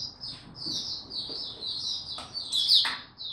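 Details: Maturing song of a young white-eye, dated 09-02-2022: an unbroken stream of high, rapid chattering twitters with a brief brighter, louder flourish near the end, faint low rumble beneath.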